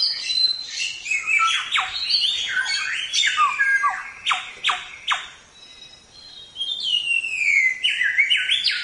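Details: Samyong song for training songbirds: a dense, varied run of sharp descending notes, slurred chirps and squeaky phrases, briefly pausing near the middle before resuming with high, rapid, twittering notes.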